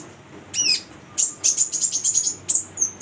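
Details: Female konin, the brown-throated sunbird, singing as a lure for untrained birds: a slurred squeaky note, then a rapid run of shrill, evenly spaced high chirps.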